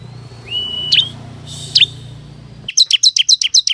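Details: Ciblek lure call aimed at forest birds: a rising whistle and two separate sharp chirps, then a quick run of about eight high, clipped chirps closing the passage.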